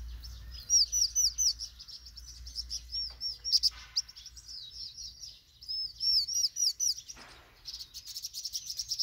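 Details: Vinous-throated parrotbills, including recently fledged young setting out into the world, birding in Banghak-dong, Dobong-gu, give high, thin chattering notes in quick bursts, several birds calling over one another, over a faint low rumble.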